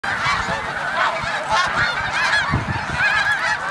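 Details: A large flock of migrating snow geese at Middle Creek, Pennsylvania: dense overlapping nasal honks and yelps forming a continuous clamour, with occasional higher squeaky notes rising above the din.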